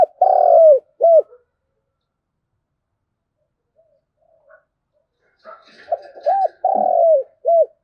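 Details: Spotted dove 'thúc gù' coo, thổ đồng voice, used as a lure for wild doves; a long falling coo and short hoot, several seconds of quiet, then a fuller phrase of soft notes, arched hoots and a drawn-out coo.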